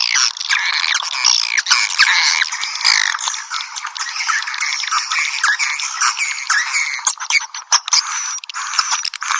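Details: Swiftlet call played as a piezo lure: sustained dense twittering with sharp squeaks and buzzy chatter, later breaking into clicky fragments, no background noise.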